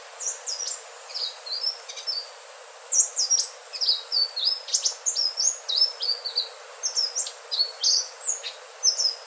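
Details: Melodious song of an Indigo flycatcher (sikatan ninon, selendang biru): a near-continuous stream of high, sharp, sliding whistles and chirps, some down-slurred, delivered rapidly with only a short break early on, against soft background hiss.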